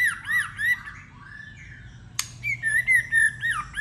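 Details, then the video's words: Competitive song of a white-rumped shama: looping whistled notes, a drawn-out steady tone, one sharp crack, then bouncy repeated whistles in quick succession. "Kích chòe lửa hót /nhiều giọng / chòe lửa hót đấu"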